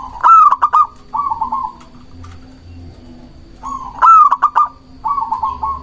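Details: Local zebra dove in steady song, meant to lure doves and goad rivals: two full phrases, each a clipped, stuttering burst of notes and then a quick bubbling coo trill, about four seconds apart.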